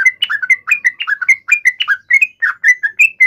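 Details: Yellow-vented bulbul giving an agitated fighting call used to trigger a reply: short liquid chirps, many with a sharp upward flick, about four each second in an uneven, hurried stream.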